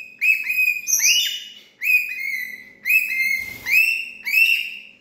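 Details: Parrot giving rapid series of strident, rising-then-falling squawks grouped in short bursts about once a second, with a brief rough noisy patch between bursts.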